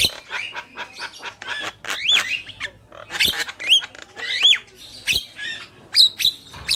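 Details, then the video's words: Black-winged myna male and female; rapid chattering clicks and rasps punctuated by clear looping whistles, several whistled notes near the end, steady low hum behind. "Jalak Kebo Gacor | Burung Jantan dan Betina"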